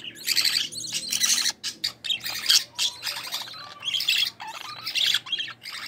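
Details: Budgerigar chicks of a green-line pair in the nest, one split to opaline, growing while their mother feeds them; harsh rasping squawks come in dense bursts of about half a second, separated by short pauses.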